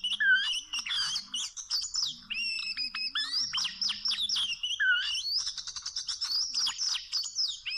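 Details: Oriental magpie-robin in the wild near rope traps, singing varied phrases: clear rising and falling whistles, short buzzy notes and high chirps, with some rich low whistled notes between them.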